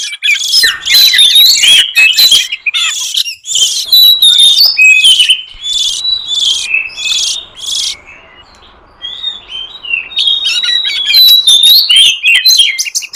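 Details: Wild oriental magpie-robin of the forest, sung as a lure for wild birds: lively whistled phrases and chips, a stretch of steady buzzing trills, a lull, then clear sweet whistles again.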